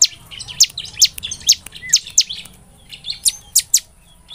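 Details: Bar-winged prinia (ciblek semi) in a lure recording played to get birds singing. Separate high, piercing chip notes come about every half second, with softer thin chirps and a brief pause between groups.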